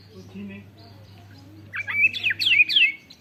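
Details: Caged white-rumped shama with canary-learned song: after a quiet start, a quick tumbling jumble of twisting whistled and chattering notes rising to loud phrases, phone-recorded.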